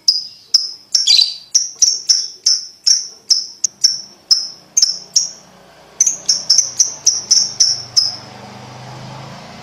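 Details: Lovebird ticking calls used as a training sound for young birds: regular high chirps about twice a second, a faster cluster near the end, then a low background hum.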